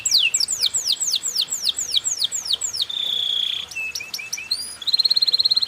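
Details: Canary performing a cengkok mewah balacrad lure song: a series of sharp falling sweeps, a held buzzy note, scattered short chips, then a fast, even trill to finish.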